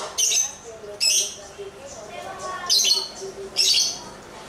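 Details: Lovebird calling while dancing, giving four loud, harsh, high squawk bursts roughly once a second, with softer warbling notes and low chatter between them.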